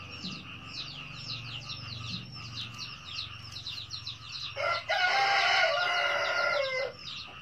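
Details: Red junglefowl crow arriving after several seconds of quick, repeated chirping from small birds: a loud, hoarse, stuttered start and then a sustained harsh phrase of about two seconds that trails off downward.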